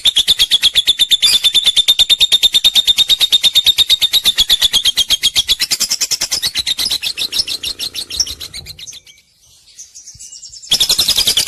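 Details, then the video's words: White-rumped shama, a pied (blorok) bird in a collection of lively songbirds from Palembang, delivering a rapid, steady run of high chattering notes with a sustained whistled tone, then fading and breaking into bright trills near the end. "burung murai batu blorok"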